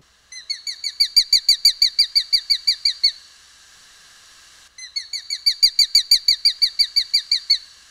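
A Sharp-shinned Hawk gives a rapid series of high, sharp kik notes, about four per second, in two bursts separated by a short pause.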